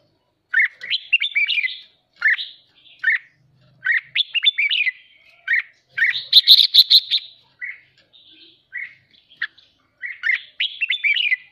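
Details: Excited captive red-whiskered bulbul in hót ché chattering song meant to rouse other birds, giving a long run of short warbled phrases about a second apart, with a brief harsher, buzzier burst midway.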